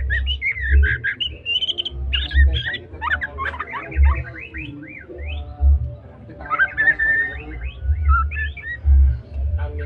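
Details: White-rumped shama of the Medan type, a spotted gacor bird, singing a varied, fluid song of rich whistles, slurred rising and falling phrases and short trills, over a steady deep thumping beat in the background.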